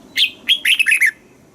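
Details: Caged Red-whiskered bulbul from Thailand in southern master-song style, meant to rouse other caged birds and train young birds: one short, lively phrase of bright, slurred whistles, rising then tumbling down in quick notes.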